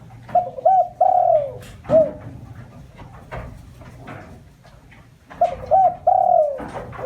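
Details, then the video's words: Spotted dove giving its lure call, used to attract other doves: a mellow cooing phrase of short notes ending in a long falling coo, repeated after a pause, with clatter and handling noises between phrases. "tiếng chim cu gáy mồi chuẩn cực hay kích bổi"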